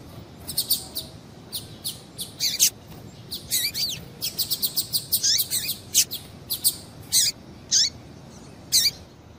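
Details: Female double-collared seedeater calls used to make males sing: a long, irregular stream of sharp, high chirps and short down-slurred notes, sometimes in quick clusters, sometimes spaced, over steady faint hiss.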